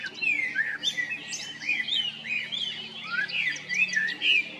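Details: A male common blackbird in Zagreb, Croatia (Jarun and Prečko, April–May 2022), sings mellow, slurred whistles mixed with thin, high twittering notes, running on almost without pause; other small birds may be chirping in the background.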